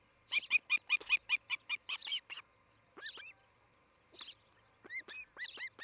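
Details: Osprey pair at a nest in Charlo, Montana, on a morning nest camera in 2018; a loud, even run of piercing whistled chirps, followed by spaced, downslurred single whistles.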